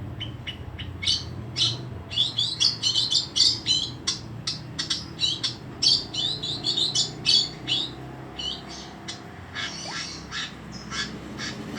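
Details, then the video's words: Long-tailed shrike singing lustily: a long, dense series of sharp high chips and chattering phrases, packed tightly in the middle and thinning out toward the end. "Burung pentet gacor full habis"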